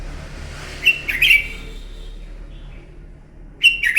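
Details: Red-whiskered bulbul in a morning fighting song meant to train a bird: one short phrase of sharp chirpy whistles, a pause, then another begins at the end, over light background hiss.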